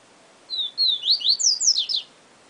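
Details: Papa-capim, the yellow-bellied seedeater, delivering its 'Siu Siu Professor' song: a pair of falling whistles followed by quick upward-slurred notes and a cascade of sharp downward strokes, high and clear over a quiet background.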